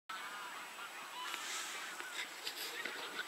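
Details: Geese calling as a flock, a dense chorus of overlapping nasal honks and short harsh calls that keep on throughout, with no single bird standing out and a steady hiss of background noise.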